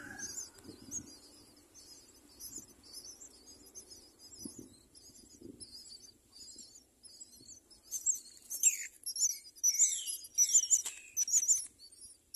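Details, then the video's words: Myna at its nest raising four chicks; faint high, thin calls at first, then a louder burst of rapid, squeaky, piping calls toward the end, with soft low rustling beneath. "Myna birds, raises four children"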